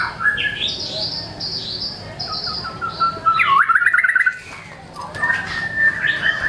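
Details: White-rumped shama in full song showing off its learned repertoire: high whistled slurs, a stuttering run of notes rolling into a loud wavering trill, a brief lull, then a long level whistle.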